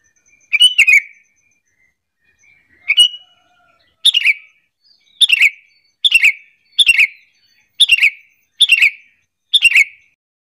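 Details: Repeated sooty-headed bulbul lure calls used to bait other bulbuls into answering: nine short bubbly, tumbling phrases, falling slightly in pitch, coming roughly once a second after two spaced opening phrases.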